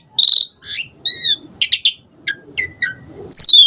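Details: Asian pied starling in full song with varied filler phrases, used as a lure to provoke other starlings to answer. A rapid stutter of high notes leads into clear whistles, short chirps and a bright falling whistle at the end.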